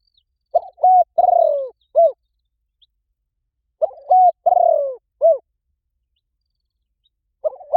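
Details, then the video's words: Spotted dove cooing as a lure call meant to make other doves answer: two clean phrases of four to five mellow, hooting coos, one note drawn out and falling, phrases about three seconds apart, with silence between. "Gáy gọi rút bổi khó cỡ máy nghe tiếng chim cu gáy gáy lại liền"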